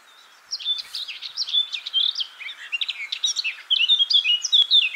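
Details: Eurasian blackcap (Sylvia atricapilla) singing: a quiet start, then a loud, fast warble of varied whistled notes jumping between high and mid pitch, continuing almost without pause through the phrase.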